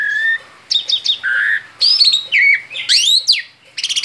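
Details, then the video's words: Outside the cage, a male Asian pied starling sings ngerol-style: a pure low whistle, chattering double notes, a flat whistle, then sweeping upslurred and downslurred whistles ending in a fast buzzy stutter, clear and close. "Ngerol di luar sangkar jalak suren jantan gacor"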